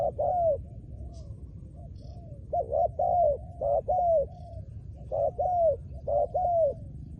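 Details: Decoy-trained spotted dove sings repeated cooing phrases, each a clipped low note followed by a longer mellow falling coo. They come in a steady series with a faint high chirp in the background.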